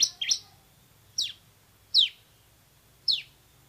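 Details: Bar-winged prinia, likely caged, singing in a loud tutor recording: a quick two-part chirp, then three sharp high notes that slur steeply downward, each about a second apart, in a quiet setting.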